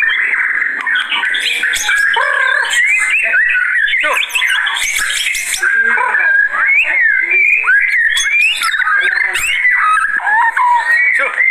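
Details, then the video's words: White-rumped shama (murai batu) singing when agitated, used as a lure and tutor recording: a loud, unbroken stream of varied whistles, sharp upslurs and scratchy notes, with dense overlapping phrases. "Begini Kalo Burung Murai Batu Kalau Sudah Naik Emosinya"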